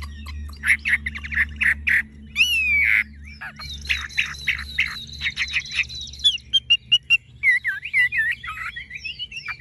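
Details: Chinese hwamei, a tame cage bird with golden-yellow legs, bill and feathers, in full song: rapid repeated chopped notes, upward-swept whistles, then a varied run of warbled, slurred phrases with no pause.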